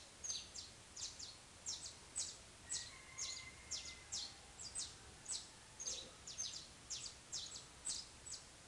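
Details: Before dawn, in darkness shortly after five, a saffron finch gives a steady run of high, sharp chirps at roughly two per second. A faint thin whistle passes behind the chirps in a quiet setting.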